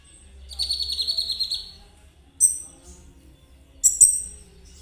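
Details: Spotted 'trotol' Konin sounding to encourage other birds to sing: a buzzy, rapid high trill lasting about a second, followed by two short, sharp chirps.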